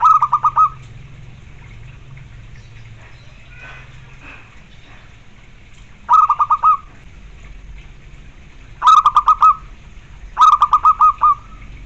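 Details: Perkutut or zebra dove kept as a cage bird, repeating its song phrase four times in twelve seconds: each a quick run of five or six staccato coos closing on a drawn-out note, with gaps of low background hum.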